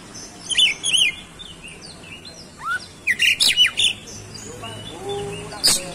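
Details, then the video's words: Oriental magpie-robin song played briefly to draw other magpie-robins into singing: rapid chirps and clear whistled notes, a quick run of repeated loud syllables midway, ending in a sharp high burst. "CUKUP DIPANCING SEBENTAR KACER MANAPUN LANGSUNG ON GACOR"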